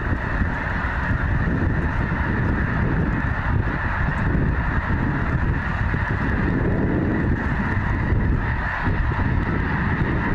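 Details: Thousands of snow geese massed at Goose Pond Fish & Wildlife Area, Linton, Indiana, raising an almost deafening din; dense overlapping honks form a continuous roar with strong low rumble and wind noise throughout.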